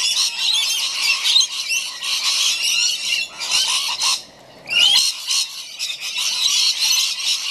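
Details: Several rainbow lorikeets being fed in a backyard, giving dense, shrill, rasping screeches and chatter that overlap almost without pause, with one brief quiet gap midway.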